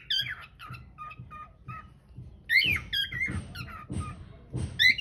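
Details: Cockatiel singing, filmed on a hidden camera: a string of short chirped whistles repeating, then louder twisting warbles with rich harmonics, accompanied by dull low knocks roughly every half second indoors.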